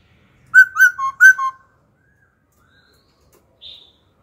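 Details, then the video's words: Laughingthrush, wild-caught adult, singing wild-style phrases that change constantly, meant to spur other birds to sing and to train young birds: five loud clear whistled notes in quick succession, then silence and one faint high note. "Khướu già rừng hót giọng rừng, đảo giọng liên tục kích bổi hót, tập chim non"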